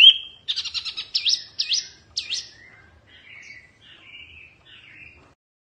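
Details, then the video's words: Oriental white-eye, mini fierce song: a high whistle, a buzzy burst, three sweeping V-shaped notes, then softer lower warbles fading out. "Kicauan OK wambi mini GANAS bagus untuk masteran"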